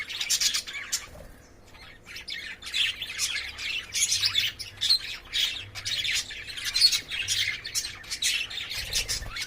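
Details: Caged lovebirds playing chatter continuously in shrill, high-pitched chirps and harsh squawks, overlapping in rapid bursts with little pause throughout.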